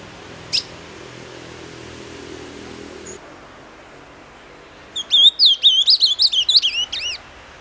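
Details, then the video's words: Ultramarine grosbeak delivering its 'doce amargo' song: after a sharp tick and a low background hum that fades, a two-second phrase of bright warbled, up-and-down whistles ends with a few arched notes. "AZULÃO DOCE AMARGO"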